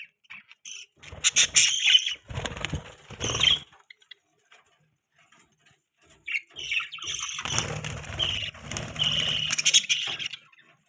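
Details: Pet budgerigars chirping: bursts of harsh, chattering warbles and squawky chirps lasting a second or two, then a silent pause before a longer, busier stretch of mixed chatter.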